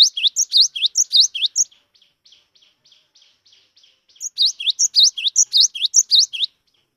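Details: Cinereous tit, 'wingko' type, nervous but a keen singer, used to set off song in quiet birds: fast repeated two-note phrases, a stretch of faint, lower ticking notes, then another loud run of the same bright, rising phrases.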